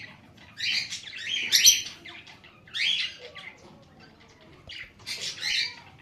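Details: Lovebird calling in three or four separate bursts of piercing, chattering squawks, each lasting about a second, with quiet gaps between them.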